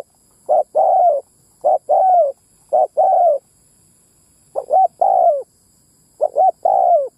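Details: Spotted dove lure call used to attract males and females: five phrases, each two short clipped coos then a long, low coo that falls at the end, with one longer pause midway; no other sounds.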